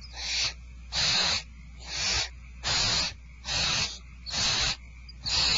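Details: Barn owls at feeding time at Starr Ranch, 2/1/12: six to seven noisy, screechy hisses in quick, fairly regular succession, each about half a second, with a quiet low hum in the background.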